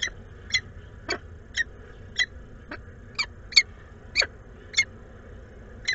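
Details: A peregrine falcon pair at a nest site in Włocławek, Poland, on 12 May 2022, during food exchanges. Sharp, thin chipping calls repeat roughly twice a second over a steady electrical hum.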